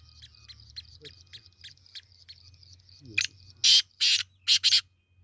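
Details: Black francolin (kala teetar), recorded 22 February 2025: after a run of faint, thin, evenly spaced high ticks, four loud harsh rasping notes burst out in quick succession near the end, the first one short.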